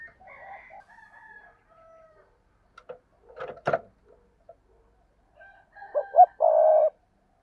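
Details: Soft distant cooing and a few clattering knocks, then a close spotted dove phrase at the end: two short coos rising into a long, steady note.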